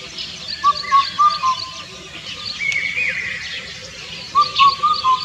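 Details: Indian cuckoo singing: two four-note whistled phrases, mellow and evenly spaced, the second starting about three seconds after the first, with other birds chirping and a brief higher rising whistle between them.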